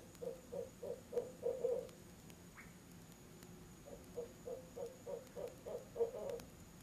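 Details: Barred owl and mate in a hoot fest at a nest box, 7pm on October 18, an out-of-season visit; a fast run of hoots, a short gap, then another rising run of about ten notes.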